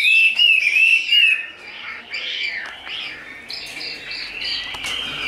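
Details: Chinese hwamei described as tame, big-bodied and a spread-display fighter; clear wavering whistled phrase at the start, then softer, blurred warbling notes continuing more quietly.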